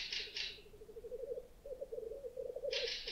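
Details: Fieldfare giving harsh, rasping chack calls, two quick ones then another, over steady low bubbling of lekking black grouse, after sunset on an island in Lake Puula, Finland, 22 May 2020.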